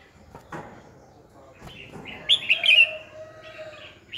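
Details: Decoy Red-whiskered bulbul singing in 2020 fighting-song style, used to train and stir other birds to sing: a short burst of bright, warbled notes high in pitch in the middle, after soft faint chirps and light background rustling.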